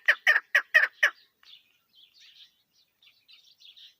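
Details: A female chukar partridge, as used in hunting, gives five harsh, loud clucking notes in quick succession, about four per second, followed by fainter, higher chattering.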